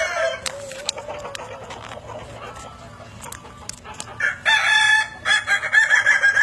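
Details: Kukuak Balenggek rooster in the evening: a faint low note and scattered clicks at first, then a burst of choppy, stuttering crow syllables toward the end.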